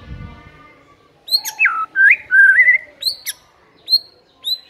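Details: Murai batu, the white-rumped shama, sings when provoked: long slurred whistles wavering up and down, then sharp rising notes with high clicks, spaced roughly half a second apart.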